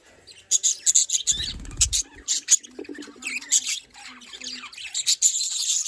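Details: Budgerigar chatter recorded in Larkana, Sindh: scattered sharp high chirps and short warbles, with a low thudding knock near the start and quieter twitters later.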